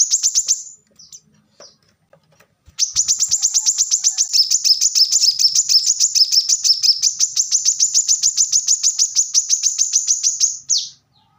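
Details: Plain-throated sunbird, locally called kolibri kelapa, korlap, manggar or wiceh, singing vigorously in dense rapid bursts: a brief high note at the start, then about eight seconds of very fast, tightly packed high chirps, steady and unbroken, ending abruptly.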